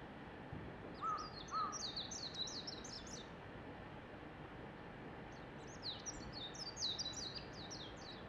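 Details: Japanese white-eye singing in a neighbour's tree: two bursts of rapid, high, thin twittering warble, roughly three seconds each with a pause between, plus two short lower whistled notes early on over steady background hiss.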